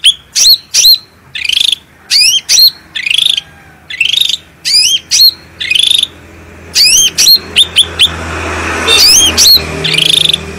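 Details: Cucak rante bulbul singing strongly on a master recording meant to prompt and train other birds. Grouped pairs of sharp downslurred whistles repeat, turning into denser trills, while a low hum and hiss rise toward the end.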